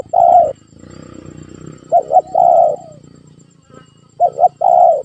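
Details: Calls of a spotted dove used as a lure to make a silent pet dove answer, from Indonesia: two quick low coos followed by a longer drawn-out coo, the phrase given twice, with soft background noise.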